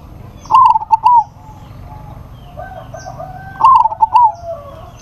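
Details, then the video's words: Local zebra dove calling a rival that answers back: two loud trilled coo phrases of quick bubbling notes, with a fainter, lower coo from another dove heard between them. "PERKUTUT LOKAL GACOR MEMANGGIL LAWAN PASTI NYAUT"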